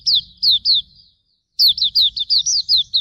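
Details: High, thin whistles from a Hume's white-eye used to train other birds: a few spaced down-slurred notes, a short gap, then a faster chattering run of about eight sliding whistles.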